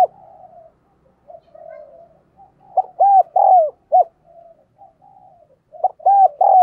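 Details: Spotted dove decoy cooing to encourage other doves; quiet muttered coos lead into two loud phrases of four arched hollow notes, each phrase about a second long.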